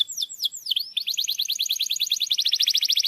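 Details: Lure song of a canary for coaxing a silent bird to sing: three swooping V-shaped whistles lead into a long, even, rapid trill of bright repeated notes.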